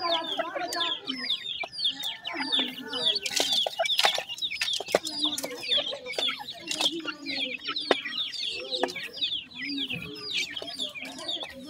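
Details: Many grey francolin chicks giving constant high, thin, downslurred peeps that overlap in a busy chorus, with occasional lower clucks and sharp tapping sounds throughout.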